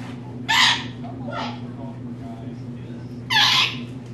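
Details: Pet female rainbow lorikeet indoors, a talking bird with a large vocabulary: two loud, harsh, breathy bursts about three seconds apart over a steady low household hum.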